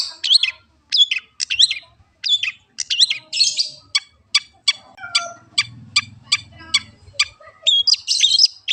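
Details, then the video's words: Long-tailed shrike song on a training recording: whistled chirps with quick up-and-down slurs, then a steady run of sharp clicking ticks about twice a second over a low hum, ending in chirps again. "master kicau burung cendet anti macet"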